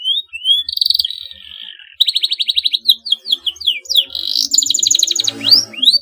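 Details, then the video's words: Long-singing 'gacor' canary, a song said to push rivals to join in: high whistles, a sustained buzzy note, quick rattling trills of repeated notes and sweeping slurs follow one another with hardly a break. "KENARI GACOR PANJANG, TERBUKTI BIKIN LAWAN LATAH IKUT BUNYI GACOR NYERANG FIGHTER"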